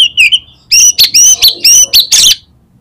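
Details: Oriental magpie-robin in full song as a lure to get other magpie-robins singing. A short whistled phrase opens, then a run of about six loud, bright, ringing notes with sliding overtones, each clearly separated.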